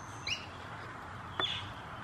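Black-crowned Tityra giving two short, dry, buzzy notes about a second apart over a faint steady background hiss.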